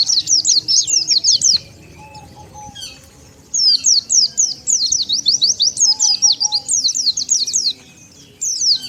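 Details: Wild-bird lure call of the Oriental white-eye: rapid high twittering in two main bursts separated by a quiet stretch, the thin zigzag notes closely packed, with faint lower tones behind.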